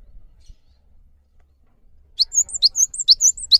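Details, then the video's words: Java sparrow lure recording for caged birds that will not sing: quiet low rumble at first, then a lively series of chip-and-whistle pairs starting after two seconds. "MASTERAN GELATIK BATU GACOR UNTUK MEMANCING BUNYI GELATIK BATU MALAS BUNYI"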